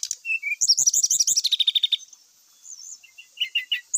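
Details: Grey-chested jungle flycatcher singing a dense lure song of mimicked fragments: a fast rattling string of looping high notes, a soft wavering whistle, then short chirps.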